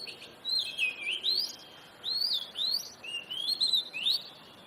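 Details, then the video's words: A vigorously singing oriental magpie-robin: rich, liquid whistles with fast upward and downward slurs, delivered in linked phrases with short gaps between them, clear against a quiet background. "Burung Kacer Gacor"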